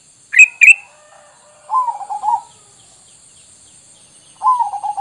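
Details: Sooty-headed bulbul sound used as a lure to make wild bulbuls answer at once: two sharp, high chirps close together, then two short wavering, warbled lower phrases, a pause, and another warbled phrase, over a faint steady high hiss.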